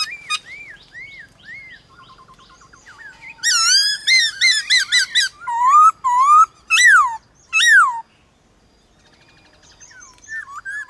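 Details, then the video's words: White-cheeked laughingthrush in a morning singing contest with wild birds: loud rich whistled phrases with rising and falling notes in bursts, preceded by softer distant whistles and quiet trills. "Khướu bạc má HÓT ĐẤU với Khướu ngoài thiên nhiên buổi sáng cực hay"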